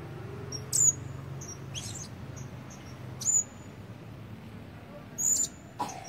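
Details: Blue-crowned Hanging Parrot kept as a decoy bird, red-breasted with plumage not yet full, trying its voice: thin, very high squeaky notes spaced about a second or two apart, over a quiet low hum.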